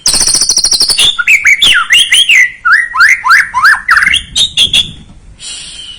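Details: Lure song of a white-rumped shama meant to excite a young bird: high rapid trill opening into a long series of varied, looping whistled notes, some sharp and rising, ending with a soft high buzz.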